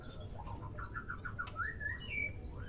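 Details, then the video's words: Female white-rumped shama singing to prompt males to sing: about six short even chirps in quick succession, then a rising slurred whistle and a higher drawn-out note, over low background rumble. "murai betina gacor"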